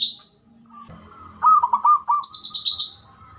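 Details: Male zebra dove calling in the ngoar manggung style to excite mating arousal: a burst of rapid, rippling mid-pitched coos, overlapped by a high, descending chain of whistled notes from another bird.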